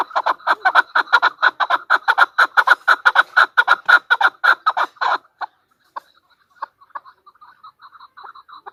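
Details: Female chukar partridge: a steady, rapid volley of harsh chuck notes for about five seconds, evenly paced, then stopping abruptly and leaving only a few faint, scattered notes.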